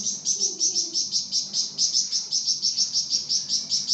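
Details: Flamboyan bird singing actively, recorded as a training recording for other songbirds: a rapid, very high, thin chattering trill pulsing about four times per second in steady bursts throughout, with a faint low hum beneath.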